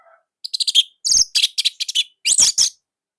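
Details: Orange-headed thrush from Indonesia in tight, loud song used as training material: a fast series of short, strong, high chattering and whistled notes in clustered groups.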